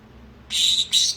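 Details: A pet pineapple Green-cheeked conure, which has learned the words "baby" and "sorry", rasps out a learned two-syllable word in a thin, high, scratchy voice, with syllables barely a tenth of a second apart.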